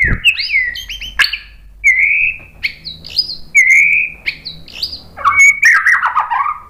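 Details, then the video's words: Song of a White-rumped shama aimed at provoking rival birds to sing: separated bright whistled phrases, some sliding down, others with sharp upward flicks, ending in a dense tumbling warble. "SUARA MURAI BATU Untuk Memancing EMOSI jadi NYAUT GACOR"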